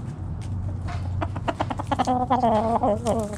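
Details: Backyard hens foraging in the morning, a run of rapid clucks building into a drawn-out, nasal, wavering cackle over low background hum.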